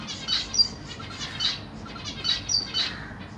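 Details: Zebra finches of the Black Cheek variety in a large cage on 25 June 2023, parents feeding three juveniles and three newly hatched babies; high, nasal chirps come in short uneven clusters, several calls overlapping.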